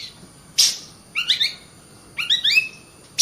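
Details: A kacer, or Oriental magpie-robin, gives a sharp high note, then two quick bursts of rising, stepped chirps, and another sharp note at the end, over a quiet background.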